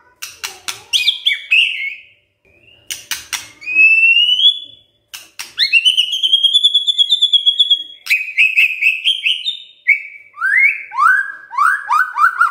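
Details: Morning shama lure to make silent birds sing: sharp clicking notes and high whistles, then a series of descending slurred whistles repeated in steps toward the end.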